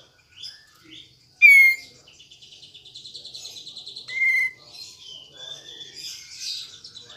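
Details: Varied kapas tembak bulbul song with sharp downslurred whistles, a soft pulsed chatter and thin warbling phrases. Played to coax birds that have stopped singing.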